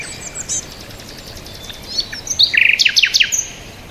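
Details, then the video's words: Bird chirping: faint high twitters at first, then a quick run of loud, sharp descending chirps in the second half, with soft background birds. "bird chirping sound"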